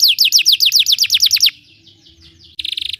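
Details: Belgian canary singing, played to teach canaries to sing: a quick series of falling whistled notes, then a soft, fading warble, ending in a short, harsh buzzing trill.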